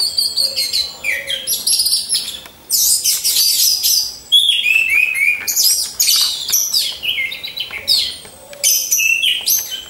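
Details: Orange-headed thrushes, captive birds hung side by side in a row, sing loud, rich, varied phrases of high whistles and rapid buzzy trills in bursts with short pauses, while soft low cooing notes sound in the background.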